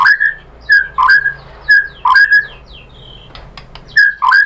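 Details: White-rumped shama song used as a lure to provoke other birds into singing: loud whistled phrases, each a low note sweeping up into a clear sustained whistle, repeated about every second, with a faint low hum beneath.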